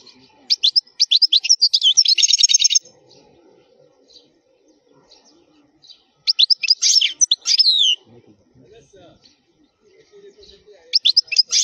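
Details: Wild 'khalwi' European goldfinch song meant to teach fledglings to sing: bursts of high, rapid twittering and buzzy trills separated by quiet pauses with faint low background noise.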